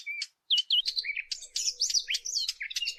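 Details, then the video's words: Fig bird warbler, played as a hunting lure, gives a brief pure whistled note, a short gap, then a busy burst of sharp, sweeping high chirps and twitters over a faint low steady hum. "صوت عصفور التين السقلين للصيد"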